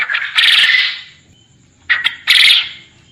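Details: Quail calling, recorded as master audio so contest quail learn to sing lively (gacor): one long rasping, buzzy burst, a pause, then a brief click and a second drawn-out harsh note.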